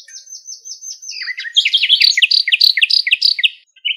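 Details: Common nightingale (Luscinia megarhynchos) song recorded in its natural habitat in Greece: a run of thin, high repeated notes, a few dropping slurs, then a fast, rich burst of rising chirps at about three per second.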